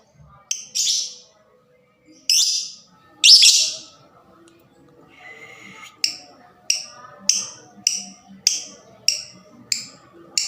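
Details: Fighter lovebird, its quick voice meant to provoke other lovebirds into sound: a few drawn-out harsh screeches, then a fast regular series of short sharp chips repeated about every half second.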